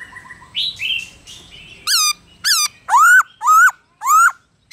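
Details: Black-throated laughingthrush in wild-type song, used to stimulate other laughingthrushes to sing: soft whistles, then five loud, rich, arched notes, each rising then falling, about two per second.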